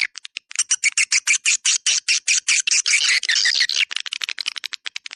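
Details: Swiftlet lure call in the "dua bidadari" style, used to draw swiftlets to a central swiftlet area: fast series of high, harsh chirping pulses, roughly two or three per second, merging into a continuous chatter midway and then thinning out.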